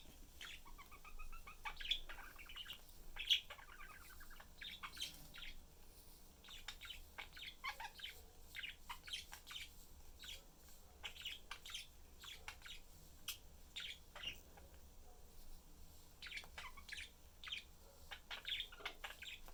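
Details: A pet budgerigar family of father, mother and young chirps in a busy, scratchy chatter of short sharp notes inside a cage with its door open.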